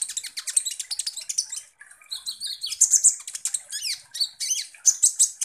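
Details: Energetic sunbird (kolibri ninja) song used to provoke other birds: fast, sharp high chirps alternating with brief descending whistles and buzzy trills, delivered in quick bursts with short pauses.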